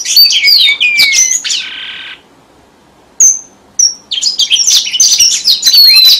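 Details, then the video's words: Red avadavat lure song used by bird keepers: loud, rapid, high twittering with descending whistled slurs, a buzzy burst, a pause broken by two sharp chips, then a fast chattering run of high notes. "TIẾNG CHIM HOA MAI ĐỎ MỒI CHUẨN"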